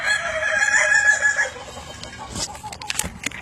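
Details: Kukuak Balenggek chicken's evening crow, a strong sustained harmonic note lasting about one and a half seconds, followed by quieter clicks and rustling.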